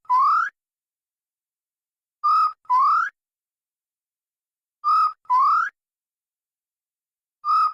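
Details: Loud, clear calls of a grey peacock-pheasant, each a brief flat whistled note followed by a longer upslurred note, the pair recurring roughly every two and a half seconds with no other sounds.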